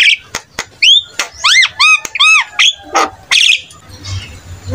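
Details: Javan myna song used to encourage other starlings to sing: several arched, ringing whistled notes repeated in a row, broken up by sharp clicks and harsh rasps, followed by a fading hiss.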